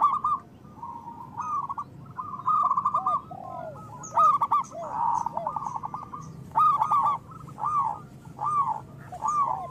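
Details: Local zebra doves singing as a lure for lazy birds: scattered bursts of quick notes and arched coos, several birds overlapping, growing into a run of spaced, looping notes near the end.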